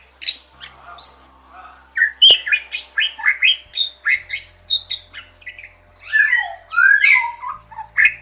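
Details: Masteran song of the Bali myna, a rare protected bird of Bali: a busy, harsh mix of squawks, buzzy notes and slurred whistles, with one sharp click and looping descending whistles late on.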